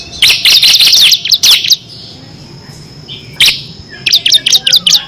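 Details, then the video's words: Bar-winged prinia of the kristal type in ngebren style, a master recording for contest birds: a loud burst of fast, harsh high notes, a silent gap with one sharp note, then a run of quick chirps. "FULL NGEBREN‼️ CIBLEK KRISTAL GACOR ISIAN 6 VARIASI"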